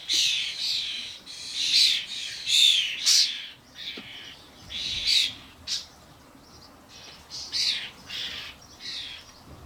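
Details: At a garden feeder where adult common starlings brought fledglings to eat suet, rough wheezy screeches come in irregular bursts, some overlapping, fading and returning, amid a commotion of many birds, captured with a camcorder.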